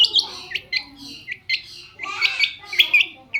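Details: Lure recording of a long-tailed shrike meant to draw replies from other shrikes: rapid, scratchy chattering with squeaky notes, bursts coming about every quarter to half second.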